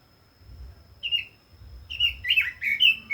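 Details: Short red-billed leiothrix phrase: one soft whistle, a pause, then a louder cluster of bright slurred notes climbing and falling.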